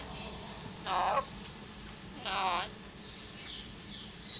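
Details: Three-year-old male pet Alexandrine parrot that says words such as "Hello", "What ya doing", "good boy" and gives a wolf whistle; two short, harmonic, voice-like utterances about a second and a half apart in a quiet room.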